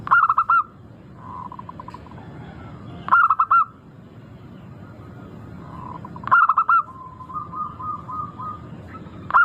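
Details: Local zebra dove with a melodious, crystal-clear voice, played as a lure to set birds singing. Loud clusters of rapid stuttered coos recur roughly every three seconds, linked by soft rolling trilled notes.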